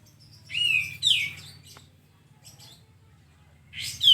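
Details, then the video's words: Bright falling double whistle from a sooty-headed bulbul, played as a tutor song for cage birds. Silence follows, then another sharp descending note at the end. "masteran burung kastem agarcepat bukor"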